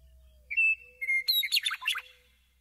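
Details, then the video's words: Meadowlark singing: a clear whistled note sliding into a second whistle, then a quick burst of jumbled, gurgling warbled notes lasting about a second before fading; faint low hum underneath. "Sounds of the Meadowlark"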